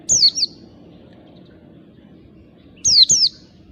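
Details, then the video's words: Wild oriental white-eye calling to draw in other birds: high, slurred down-sweeping notes paired closely together, one pair at the start and another near the end, over quiet low background rumble. "pancingan pleci ngalas MENARIK PLECI BAHAN CEPAT NGALAS"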